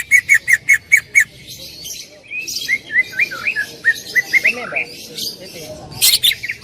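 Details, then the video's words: Greater green leafbird song, loud and energetic: a fast series of six clipped repeated notes, then rolling slurred whistles and twitters, ending with sharp chattering bursts. "Masteran cucak ijo gacor full tembakan suara keras"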